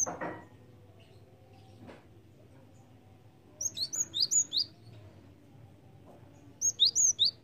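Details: Java sparrow lure calls: after a thump and quiet background, two lively bursts of five or six high, sharp, downslurred chirps, a few seconds apart.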